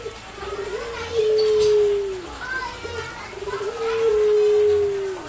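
Eurasian collared dove giving low, hollow cooing notes, each drawn out for about a second and dipping at the end, repeated roughly every three seconds over faint background sounds.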